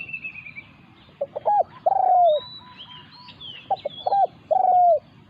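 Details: Resident wild spotted dove challenging a decoy bird. Two cooing phrases: brief stuttered notes followed by a long, vibrating, gently falling coo. Faint whistles and chirps from other birds overhead.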